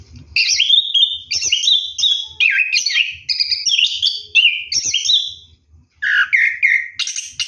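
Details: Orange-headed thrush bathing at night, delivering a fluent rolling 'ngeroll' song of bright, warbled whistles and quick trills in near-continuous phrases, one short pause before it resumes with descending whistled notes.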